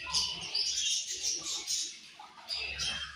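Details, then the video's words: Budgerigars at morning feeding time, a busy flock giving thin, high chirps and warbled chatter, with faint low rumbling in the background. "Budgies Morning Food And Chirping Sounds"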